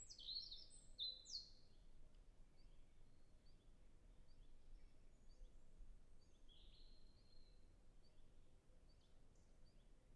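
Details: European robin in a natural reserve in early spring, with wind in the trees; a short burst of high, thin, varied notes opens, then only faint, scattered distant notes over a steady hiss.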